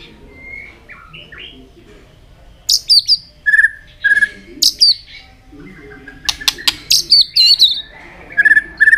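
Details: White-rumped shama singing a fighting song with tail flicking, meant to excite young birds: soft whistles at first, then loud repeated short whistled notes mixed with sharp clicks and high chips.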